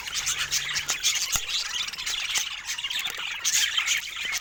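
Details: Budgerigars chattering together in a dense, continuous stream of high, scratchy warbles and squeaky chirps, with brief clicks scattered through.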